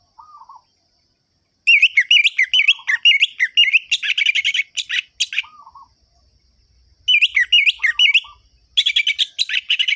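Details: Energetic anis merah (orange-headed thrush) song meant to provoke sluggish birds into singing: repeated bursts of sharp, looping whistled notes and rapid trills, broken by brief pauses and soft low chuckling phrases.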